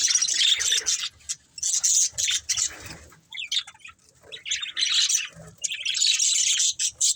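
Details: A breeding pair of budgerigars chirping in bursts: scratchy, warbling chatter with quick twittering notes, broken by short pauses between each spell of calling.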